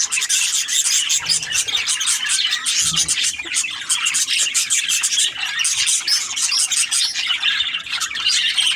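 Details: Several budgies chatter together in a steady, busy stream of high, scratchy chirps and brief warbled notes that never stops, with no distinct background sounds.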